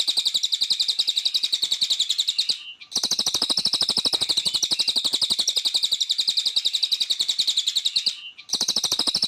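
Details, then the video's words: Cililin singing hard: long bursts of quick, piercing chirps at high pitch, interrupted by two brief silences, each followed by the same rapid chatter resuming at full strength. "CILILIN GACOR // SUARA ASLI"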